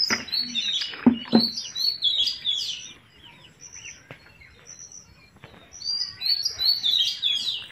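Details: A pet rose-ringed parakeet eating an apple gives rapid, high chirps and short whistles in bursts, with a pause midway and a few sharp crunching clicks.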